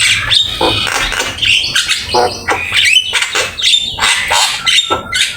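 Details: Javan myna in nonstop song, a master recording for training with full isian fills. Dense high chatter mixes with short whistles and rasping clicks throughout, recorded with Open Camera.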